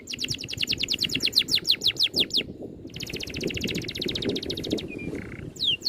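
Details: Oriental magpie-robin tutor recording in dense rolling 'ngerol' style with sharp 'tembakan' shots: fast series of high downslurred whistled notes, then a dense buzzy trill and a short flat whistle, over low rumbling background noise.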